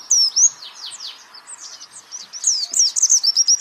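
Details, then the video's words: A white-eye pours out a rapid, high-pitched twittering song of thin sweeping notes, several per second, with no other sounds behind it. "pleci Jawara Pake Masteran ini jamin Geter-GETER"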